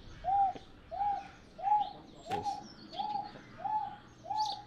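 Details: A wonga pigeon at Exmoor Zoo repeats a clear, mid-pitched, slightly arched 'wonk' note about every three-quarters of a second, seven times, over a faint background murmur.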